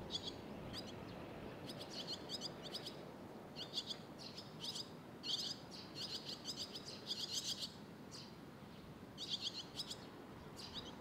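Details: Young barn swallows waiting side by side for food, Sendai, Japan, June 2021: shrill high chirping in dense bursts of several notes, coming in waves through the clip with brief pauses, over steady low noise. Captured with a RODE VideoMic NTG.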